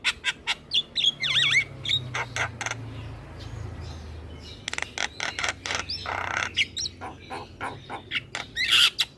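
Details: Head-bobbing Javan myna in full song, played to make lazy mynas sing: rapid ticking clicks, a few looping whistles early on, then dense harsh chatter and a sharp whistle at the end.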